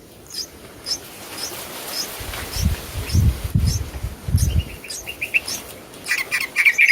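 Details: Mother bird feeding newly hatched babies in a clay nest box; thin, high chirps repeat about every half second, then quicker, lower twittering chirps crowd in near the end, over low rumbling and thumping noise.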